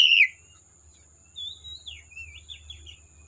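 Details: Oriental magpie-robin in the wild forest: a sharp bright note, then soft drawn-out whistles that waver and slide downward, quiet and thin against faint low hum.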